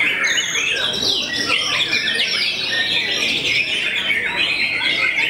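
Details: White-rumped shama known for making rivals back off, singing a rich, continuous medley of high whistles and rapid rising and falling sweeps, constant in volume.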